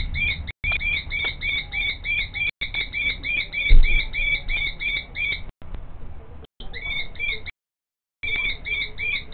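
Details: Common kestrel (Falco tinnunculus): the female calls in fast, high, repeated notes in long even runs, broken by short pauses, while the male scrapes a nest hollow in front of her; low rumbling background.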